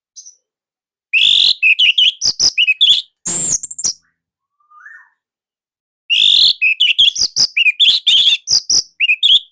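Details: Orange-headed thrush song from Indonesia, loud and tight, meant as master material for other thrushes; long energetic bursts of harsh chirps, clicks and whistled slurs, with a brief soft whistle in the pause.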